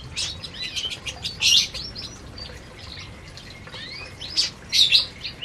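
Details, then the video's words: Several canaries at their food in an aviary, loud bursts of high chirps and rising sweeps mixed with quieter twitter and wing flapping. "Burung Burung Kenari Sedang Makan Di Aviary"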